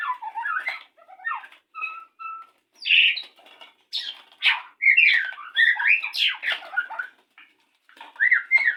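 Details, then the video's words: White-rumped shama courting before mating, pouring out a varied string of quick notes: twangy squeaks, short paired whistles and sharp rising and falling chips, in bursts separated by brief pauses. "rayuan saat murai batu ingin kawin"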